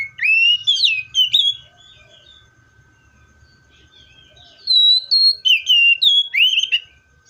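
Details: Seychelles magpie-robin: an opening cluster of rising and falling whistles, a pause of several seconds, then another burst of loud, clear whistled notes in rapid sequence.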